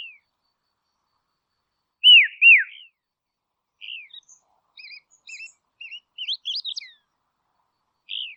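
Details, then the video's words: Call of a dusky robin from Tasmania, Australia: a pair of strong downslurred whistled notes, followed by scattered thin chirps and rising twittering notes, ending with one short whistle. "Dusky Robin Call"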